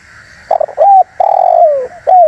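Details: Spotted dove lure call aimed at wild doves, a stuttering burst of short coos, a clear note, then a long descending coo and the start of another, with background hum throughout.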